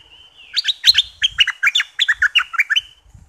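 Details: From southern Thailand, a bulbul song played to stir birds up for trapping: a thin rising whistle leads into a lively phrase of about fourteen quick, warbling chirps, with faint low knocks beneath.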